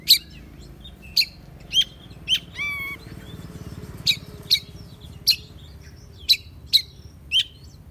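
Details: Oriental magpie-robin notes for taming a bird: crisp, abrupt ticks repeated every half second to a second, broken by one harsh, nasal, buzzy note, over a steady low rumble.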